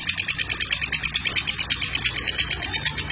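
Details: Lovebird ngeklek heard close up, a dense burst of sharp, shrill pulses, roughly eight per second, rattling on evenly throughout.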